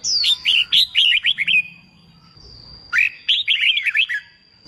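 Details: Red-whiskered bulbul song for song-contest training: two bursts of quick descending whistled notes, bright and rapid, separated by a pause with a faint steady high tone behind.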